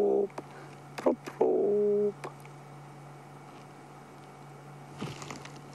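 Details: Dove calling off to the side at sunset in Sabi Sand, South Africa, 7 March 2016: low, hollow hooting "prop-prop" notes, a brief note, a quick double, then a longer held tone, over a steady low hum.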